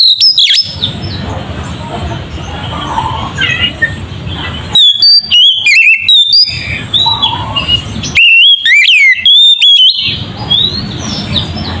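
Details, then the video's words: Oriental magpie-robin in full song, used to agitate rival magpie-robins: bursts of shrill, wavering whistles and abrupt sharp notes, separated by passages of softer, noisy low-pitched sound. "Suara burung Kacer ngeplong ini sangat ampuh untuk pancingan kacer"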